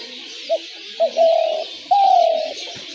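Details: Spotted dove trap-lure call: two short soft notes lead into two long, wavering coos that fade downward, set against a steady high hissing background.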